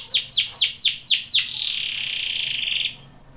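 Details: Canary training song: six loud downward-sweeping whistles, then a smooth fast buzzy trill held for over a second, ending in a short high note.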